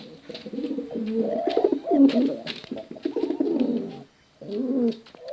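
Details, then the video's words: Male and female contest pigeons produce low rolling coos with swelling, bubbling notes, then break off briefly before starting a fresh coo. "Suara Bekuran Burung Merpati Lomba Hutan Dara Durasi Panjang"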